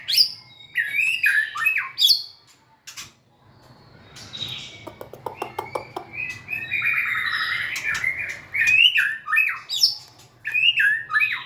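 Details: White-rumped shama singing while dancing and wagging its tail: loud, varied whistled phrases with sharp upslurs and downslurs, broken by pauses, plus a burst of rapid clicking chatter in the middle.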